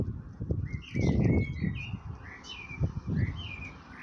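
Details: A blackbird calling out to his mate, giving short clear whistled notes at mid pitch, some rising and some falling, repeated irregularly over a loud low rumbling background.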